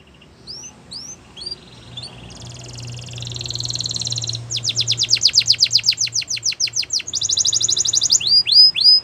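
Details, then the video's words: Canary song for training young canaries: soft whistled sweeps, then a buzzy sustained trill, then loud fast repeated descending notes and rising whistles, with a low hum and some background noise. "Canary Training Singing"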